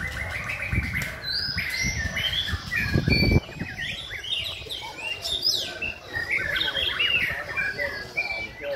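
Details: White-rumped shama singing rhythmically, a varied run of clear whistled phrases, rising and falling notes and quick trills, interrupted around the third second by a burst of low thumping noise.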